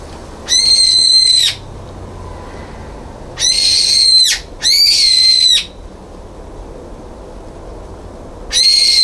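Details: Brown-eared bulbul (Hypsipetes amaurotis) screaming after being barred from a balcony feeder, 9 February 2022: four loud, harsh, drawn-out shrill screeches, each about a second long, with brief gaps, against a quiet background.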